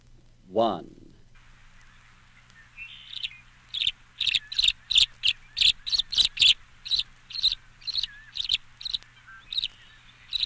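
Tree Swallow: quick bright chirps, two or three a second, mixed with liquid gurgling twitters. A man's voice speaks briefly at the start.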